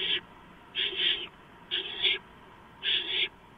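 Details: At the nest on the night of 2 April 2015, a barn owl gives harsh hissing screeches as a gopher arrives. Four rasping bursts within under four seconds, some with a doubled, wavering shape.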